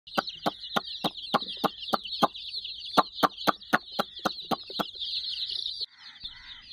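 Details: Flock of about 60 chicks playing around a toy puppy teddy, keeping up a dense, continuous high peeping chorus. Sharp taps repeat about four times a second, then stop near the end as the peeping thins out.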